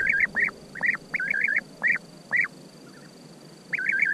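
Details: European bee-eater calling: rolling, wavy purring notes, given singly and in quick runs of three, with a pause before a final burst; a faint steady high whine in the background.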